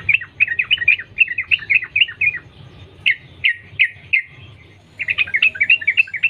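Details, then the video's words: A wild Yellow-vented Bulbul sings long 'sambung ropel' phrases meant to make others sing: a quick warbled run, a few spaced full notes, a short silence, then another rapid chirping run. "Trucukan gacor Sambung ropel nguplik alam liar | pancingan trucukan agar bunyi gacor"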